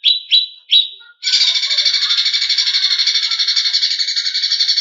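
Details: Greater green leafbird, a competition bird, in aggressive song. Three sharp chirps lead into a long, dense, grating buzz that fills the rest of the clip.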